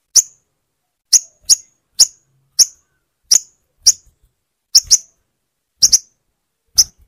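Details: Crimson sunbird sounds played to get a silent bird singing again: sharp, very high single tsip notes, about eleven in seven seconds, spaced irregularly, some doubled, with silence between.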